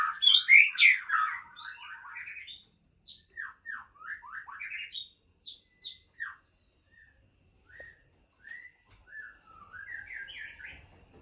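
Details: Female White-rumped shama, Ujong Pancu in Aceh: a loud burst of dense, high chattering notes opens, followed by spaced, clear downslurred whistles and short chirps separated by pauses, ending in a rising and falling warbled series.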